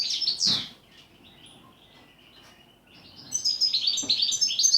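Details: European goldfinch in song, styled as sequences of repeated notes and pauses: a loud downslurred twitter opens, then a near-silent pause with a soft note, then a bright rapid run of high tinkling and buzzy phrases resumes.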